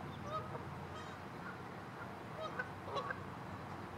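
White-winged Scoters give short, faint whistled notes with a slight honk, scattered irregularly over a steady rushing background, perhaps water or wind.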